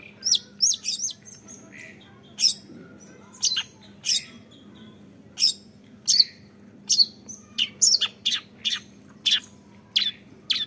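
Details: A young long-tailed shrike (Lanius schach) gives short, harsh, scratchy song notes, repeated roughly once a second in an irregular chattering series, over a faint low hum.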